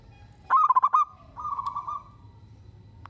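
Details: Zebra dove, a local Indonesian bird in lively song that sets other doves calling: a quick run of loud clipped coos, then a gentler purring trill lasting nearly a second. Another loud note begins at the end over a low steady hum.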